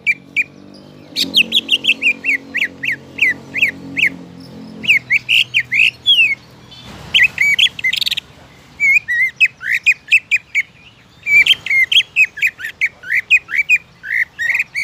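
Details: Greater green leafbird song, used to trigger other leafbirds to sing: a rapid run of sharp, high, chirping and whistled notes, densely repeated, with a brief burst of noise midway.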